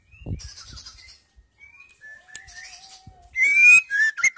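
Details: Female white-rumped shama, a caged bird kept to stimulate silent males to sing: scattered thin whistles at varied pitches, one long steady low whistle, then a loud burst of rich rising and falling phrases near the end.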